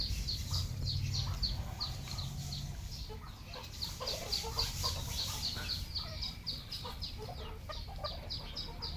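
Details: Farmed red junglefowl flock: continuous high falling peeps, several birds overlapping, quick steady rhythm, mixed with lower clucking and background rumble.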